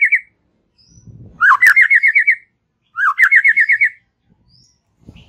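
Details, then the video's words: Relaxed song of a white-rumped shama: two bursts of quick wavy trilled notes, each opening with a rising slur, separated by a short gap; faint low rustling between. "Ocehan SANTAI Murai Batu"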